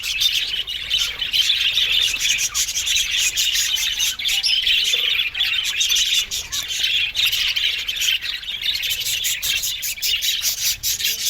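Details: Budgerigars in an aviary colony, a dense continuous chorus of overlapping chirps and squawks, steady and busy throughout, with no pauses.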